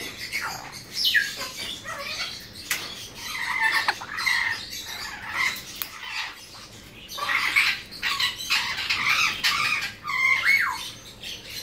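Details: Two tame, hand-reared young blue-winged macaws, a female and a male born in 2017, kept captive: harsh, raspy squawks in irregular bursts, some overlapping, with brief quiet gaps between outbursts.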